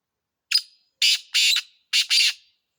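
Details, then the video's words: A black francolin gives its rhythmic rasping call: one short sharp note, two longer grating notes close together, a gap, then a quick note followed by a longer harsh one, in quiet surroundings. "Kala Teetar ka khubsurat Awaz"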